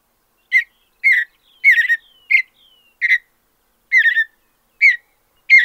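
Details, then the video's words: Mountain bluebird (Sialia currucoides) song from high plains or mountain country: soft, slightly husky warbled notes given about once or twice a second, separated by silence. "Soothing Mountain Bluebird Songs"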